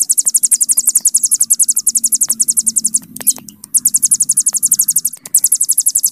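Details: Long bren from a hill prinia, locally ciblek gunung, used as master song: shrill rattling trill of fast even pulses, briefly interrupted twice and quickly resumed.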